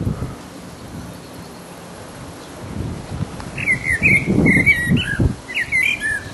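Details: Resident blackbird singing its mating song in full voice: after a quiet, rumbling start, a mellow fluted warble of several notes follows, with a thin high twitter trailing at the end.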